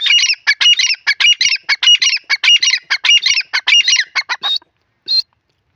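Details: Grey francolin (teetar) giving a loud, rapid series of harsh, creaky, squealing notes in regular phrases. The series stops after about four and a half seconds, and one last note follows after a pause.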